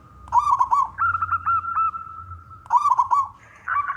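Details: Local male zebra dove singing to draw other doves into song; bursts of quick stuttering notes, then a long level purring trill, another stuttering burst, and a higher rising phrase at the end.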